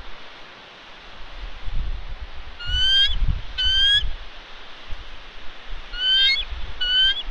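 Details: Female bald eagle incubating eggs on Santa Catalina Island, California, February 2021, calls out and stays put while ravens harass her. Four sharp, high, harmonic squeals come in two pairs, with wind gusting underneath.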